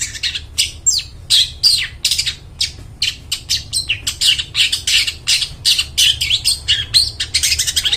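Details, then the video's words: Vigorous long-tailed shrike song for luring wild birds in the forest: a fast, nearly continuous chatter of harsh, scratchy notes mixed with quick whistled sweeps, about three per second, over a faint low hum. "cendet gacor, suara plong bening cocok buat pikat burung dihutan"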